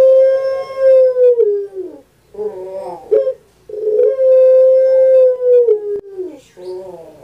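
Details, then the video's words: Kept puter pelung dove, a bird known in Indonesia and especially Java, giving its long crowing coo: two drawn-out steady tones, each sliding down at the end, with a short rattled note between them. "KURANG AJAR BENER SUARANYA BIKIN PUTER PELUNG LAIN SAKIT HATI"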